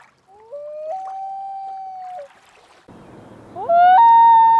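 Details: Common loon calling on a lake in Maine, recorded from a kayak: a long, mournful wail stepping up in pitch and holding steady, followed by a louder, rising second wail. Faint water noise.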